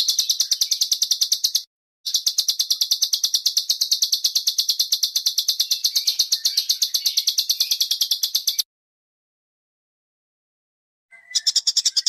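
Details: Harsh tutoring song for caged birds: a very high, long, fast rattling trill held for seconds, broken by a short gap, silence, then a fresh burst.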